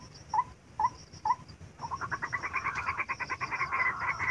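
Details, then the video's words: Trapping lure of a white-breasted waterhen: three spaced upswept notes, then a rapid, rising chattering run of harsh, stuttering notes that grows louder. "MIKAT BURUNG RUAK RUAK RAWA PALING MUDAH DATANG YANG"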